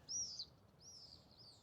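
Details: A common swift under a UK summer sky gives its high-pitched scream, a shrill, drawn-out call followed by a second fainter, longer scream, over a low background hum.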